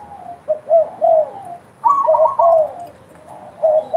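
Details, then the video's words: Spotted dove cooing freely, with soft falling coos, a louder overlapping burst of higher and lower notes in the middle, then quieter coos returning. "derkuku gacor bekur bekur"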